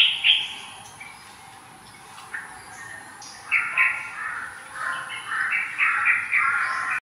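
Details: Black-naped orioles, one a juvenile, on January 14, 2022, give their harsh, nasal, drawn-out keeyaww squawks, one at the start from one bird, then rapid overlapping rasping calls from another nearby, over a faint steady hiss.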